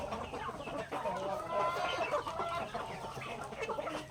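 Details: Healthy native chickens feeding on grain in a backyard, a dense chorus of quick clucks and brief nasal notes, many birds calling together.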